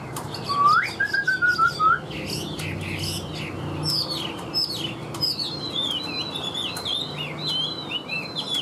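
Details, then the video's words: Chinese hwamei, kept as a tame cage bird with a steady voice, opens with a rising whistle and short fluty trill, then strings together swooping, warbled phrases that rise and fall in quick succession. "Siêu mỏ ra giọng rất đều - Họa mi đẹp hót hay"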